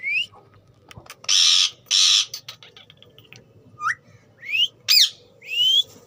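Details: Talking ringneck parrot giving loud buzzy bursts followed by several sharp rising whistles, spaced about half a second to a second apart.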